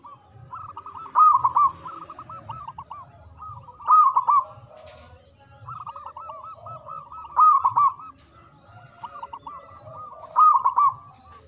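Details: Local zebra dove with a big voice singing from a high perch: four loud rolling cooed phrases about every three seconds over steady softer cooing from other doves.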